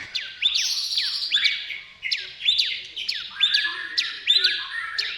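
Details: White-rumped shama song meant to lure shamas into singing: a repeated phrase of sharp upslurred whistles over a buzzy trill, given about every 0.8 seconds.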